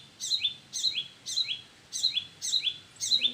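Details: Parent birds at their nest calling: six crisp, high chirps with a falling slur, spaced roughly every half second, against faint low background noise.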